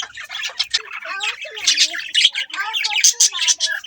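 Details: Budgerigars chattering continuously, busy overlapping chirps and harsh squawks mixed with short warbled notes, many birds calling at once.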